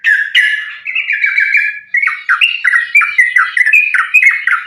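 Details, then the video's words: Sooty-headed bulbul singing a continuous fighting-style song, meant as a lure to set other bulbuls singing: an unbroken stream of rich, liquid, slurred notes rising and falling, delivered quickly without pause. "trucukan gacor tarung sambung ropel ini ampuh buat pancingan trucukan agar bunyi"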